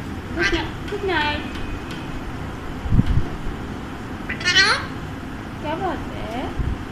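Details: An Alexandrine parakeet kept as a pet produces several harmonic, word-like phrases, some bending upward, with gaps between them and a low background rumble.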